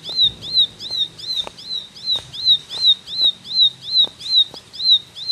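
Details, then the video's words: High repeated ciblek notes in 'tembakan' style, sharp slurred chips with an upturned end, pouring out at a steady fast pace, light clicking and low murmur underneath. "Tembakan Ciblek Gacor"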